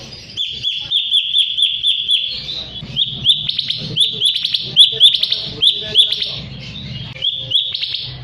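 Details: Lure recording of a sooty-headed bulbul meant to make rival birds sing back: rapid repeated high chirps that break into louder, uneven bursts of sharp whistled notes, over a faint low hum.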